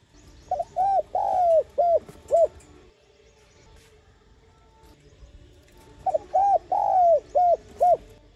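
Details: Repeated cooing phrases of a spotted dove, a call pattern used to urge captive decoy birds to coo: two phrases of five or six soft, rounded notes, each with one longer falling coo, separated by a quiet pause.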